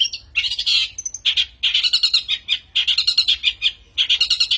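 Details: Long-tailed shrike lure recording used as a master track for training: harsh, raspy chattering in dense bursts, each burst of rapid scratchy notes lasting about half a second to a second, with short pauses and one brief thin whistle.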